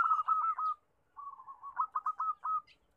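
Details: Local zebra doves calling loudly in a lure recording: two runs of quick, bubbling mid-pitched coos, the second ending in a few stronger accented notes.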